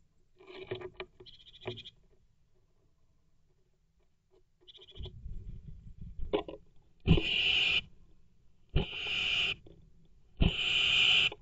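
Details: Blue tit defending its nest box in the early evening of 15 May 2024, disturbed probably by another tit outside; loud harsh broadband hisses in three bursts near the end, with wing flutters and knocking in the box before.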